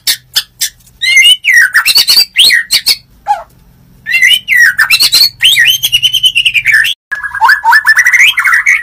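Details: A white-rumped shama, used as a morning lure to provoke other shamas, pours out a loud, varied song of rich whistles, sharp chips and rapid trills in quick bursts with brief pauses.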